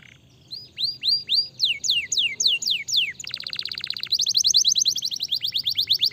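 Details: Canary song meant to stimulate other canaries to sing. Clear whistled down-slurred notes come in repeated series, then switch to a fast, steady trill of rapid rising notes. A faint low hum runs underneath.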